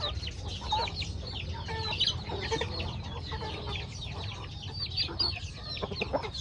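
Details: Chickens eating corn feed in a rustic backyard farmyard: a dense chatter of high, quick chirps and scattered clucks from many birds, over a low steady rumble.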